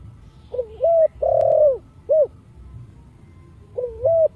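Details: Spotted dove cooing in the Thổ Sấm voice style, used to stir other doves into calling: mellow low coos, short notes then a long held one, a pause, then another paired phrase, over faint low rumble.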